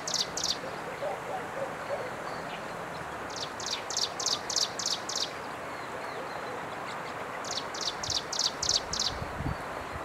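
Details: Striped prinia recorded on 11 April 2023 in Jianshi Township, Hsinchu, Taiwan: short high buzzy notes in quick runs of about five, repeated after pauses. A steady background hiss sits behind them.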